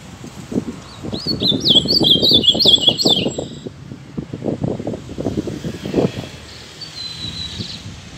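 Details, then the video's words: An ultramarine grosbeak sings one sweet, warbled phrase of high slurred notes that step downward over about three seconds, over low rumbling background noise. "AZULÃO CANTANDO"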